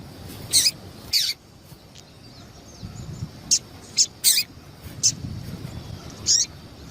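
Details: A female double-collared seedeater calls to excite the male: brief, bright, high-pitched chirps spaced irregularly, sometimes in quick pairs, against a low rumbling background.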